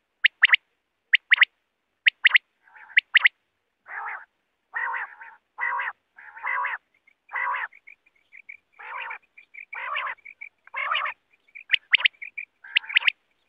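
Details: Quail calling for hunting use: sharp rising notes in pairs open the clip, then a long series of coarse buzzy croaking bursts about once a second, mixed with high chips, before more sharp notes.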